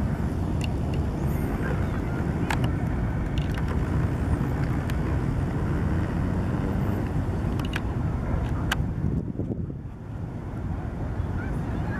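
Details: Steady low rumble of wind or engine noise with a few faint clicks, and no animal voice.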